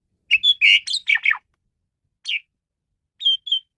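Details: Male Asian pied starling in varied song for luring birds: a burst of loud harsh, buzzy notes falling in pitch, then a lone call and two short whistles after a pause.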